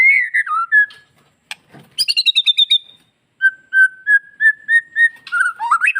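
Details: White-rumped shama singing a varied song, played to provoke male shamas into excitement: a falling whistle, a rapid burst of bright repeated notes, then a steady series of clear whistles and twisting phrases.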